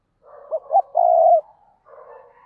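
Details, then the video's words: Spotted dove decoy gives a single phrase, two short notes and a long even coo, over a soft murmuring background. "Chim Cu Mồi, cu gay kich boi nhanh noi gù hiệu quả nhất 2023"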